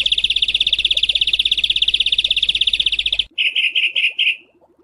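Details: Bird mastering recording of harsh 'besetan kasar' song: a long rapid grating rattle, then five separate loud harsh chips.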